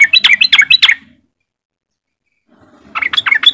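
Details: Riwik song of a sooty-headed bulbul, played to prompt untrained bulbuls into singing: a short volley of four or five loud chattering notes, a second of silence, then another rising chirpy run.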